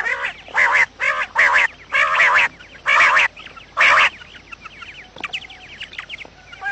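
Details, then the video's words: Quail lure recording, said to be morning calling: six loud, grating bursts in quick succession, then quieter high, thin chirps trailing off. "batair Subha ki awaz | quail sound effect"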